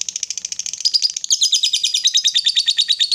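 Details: Rapid ngekek chatter from a female fighter lovebird kept to provoke rivals: quick harsh chips that grow louder and rise slightly partway through, running without pause for the whole three seconds.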